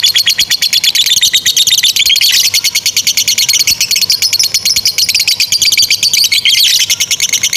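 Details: Long 'ngekek panjang' chatter from two fighter lovebirds, meant for tutoring young or stalled birds: fast, evenly pulsed shrill notes run continuously, briefly rising into a louder, sharper burst near the end.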